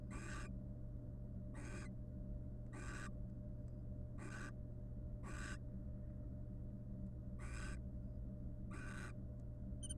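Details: Wild barn owl pair, nest box, preening each other as courtship; a steady series of harsh breathy screeches, about seven across ten seconds at irregular one-to-two-second gaps, against a constant electrical hum.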